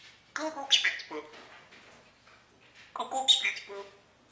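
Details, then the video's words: Austrian talking parrot that speaks English and German and also sings: two bursts of speech-like phrases with nasal, squawky tones, separated by a quiet gap. "Jakob the talking parrot"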